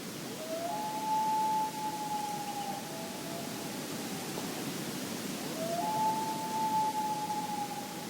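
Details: A Common Loon gives the wail, two long, eerie, mournful notes sliding up and holding several seconds each, over soft hiss; the wail communicates location across distance, like "I'm over here, where are you?"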